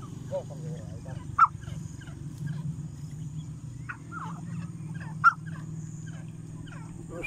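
A female grey francolin gives short, sharp calls over a steady low hum.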